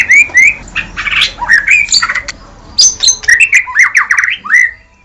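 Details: White-rumped shama song played to make other birds answer and sing actively: a varied stream of rich whistles, slurred rising notes and rapid chattering trills, with a faint low hum underneath.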